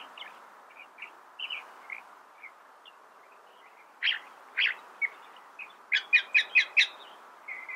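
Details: California thrasher song: soft, scattered chirps at first, then louder sharp notes and a quick run of five crisp repeated notes, ending in a burry phrase.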